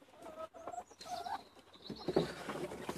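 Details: Clucking from chickens being released for the day, one of seventy birds kept in Longford, Ireland, late February 2016. Overlapping nasal clucks and a drawn-out wavering call come over a busy, noisy background.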